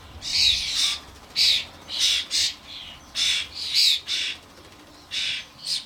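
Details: Garden suet feeder busy with adult common starlings and their fledglings; loud, harsh, grating squawks repeated in quick irregular succession, some paired closely together.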